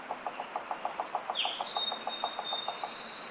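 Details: Pileated woodpecker (Dryocopus pileatus) pair nesting in spring cottonwood forest by the Clark Fork River near Missoula, Montana: the male taps inside the nest cavity as the female lands nearby, quick dull knocks about three per second, louder and faster than excavation, with other birds chirping.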